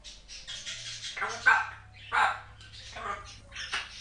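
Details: Pet African grey parrot, a female under one year old, chatting away with many words: four loud bursts of speech-like babble with rough vowel sounds, roughly every three-quarters of a second, over a steady low hum indoors.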